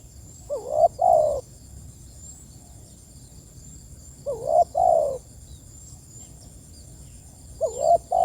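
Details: A spotted dove calls to its companions with three hoarse, low cooing phrases, each a brief lead-in note and a drawn-out wavering coo, repeated roughly every three and a half seconds over a quiet hiss.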